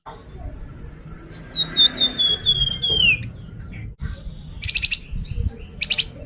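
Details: Lure song of a Sunda pied fantail: a single run of about ten quick whistled notes stepping slowly down and ending in a falling slur, then harsh high buzzy bursts.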